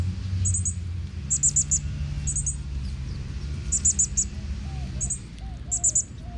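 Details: Northern Cardinal chicks in woods in Texas, fed by their father, give very high, thin calls in quick clusters of two to four notes about once a second, over a steady low rumble.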